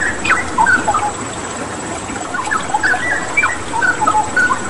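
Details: Energetic cucak rawa song: a string of clear, fluty whistles and short slurs, some sharply rising, sung over the constant wash of water.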